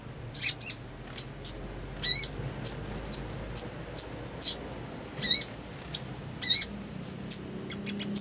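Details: Black sunbird in breeding condition: a string of thin, high, piercing chips, some with a short buzzy twist, repeated at uneven intervals of roughly half a second.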